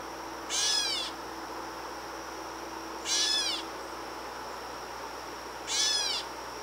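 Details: Gray catbird in Canada giving three harsh, nasal, cat-like mewing calls, one about every two and a half seconds, over a steady high insect-like whine.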